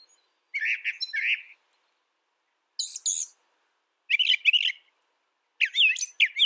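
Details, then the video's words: Brown thrasher delivering separate bursts of song with clear silences between them: a doubled chirpy phrase, a high thin burst, then buzzy warbled phrases. "Brown Thrasher Bird Sound, Bird Song, Bird Call"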